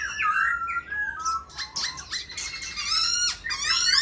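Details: A tame caged black laughingthrush with pink legs delivers loud whistled slurs followed by harsh, scratchy squawking notes and a sharp rising whistle at the close. A low hum sits beneath.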